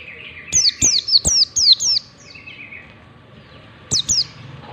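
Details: Training song of a white-eye in the ngalas style: a fast series of about six high, down-slurred whistles roughly four per second, a short silence, then a final pair of falling notes, over a constant soft hum.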